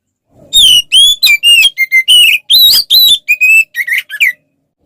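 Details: Oriental magpie-robin fighting song, sung to provoke rival males: about a dozen clear separate whistled phrases, some rising, some wavering, spaced under half a second apart, in a quiet setting.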